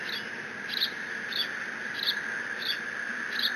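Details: Eaglet of bald eagles at Decorah squeeing while mantling a fish from its father, June 30, 2017. Six high, short squeaks at a steady pace of roughly one every 0.6 seconds over background hum.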